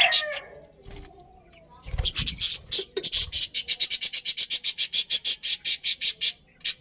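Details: Budgerigars, a breeding pair in a colony, give a fast run of harsh, high chirps, about three per second and fairly even, after a brief mix of softer low sounds at the start.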